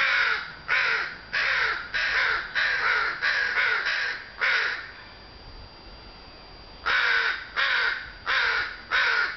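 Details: Chorus of crows on a sunny June afternoon, eight rapid harsh caws, a short silence, then four further caws.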